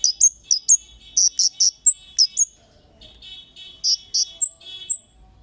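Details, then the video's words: Kemade bird giving its sharp 'cit' call, used as a lure to make other birds answer: a series of short, very high, downward-flicking chirps in irregular bursts, some doubled, with quieter fainter notes midway. "Suara Burung Cit Kemade GACOR--Pancingan Cit Keres Bahan Pasti NYAUT GACOR"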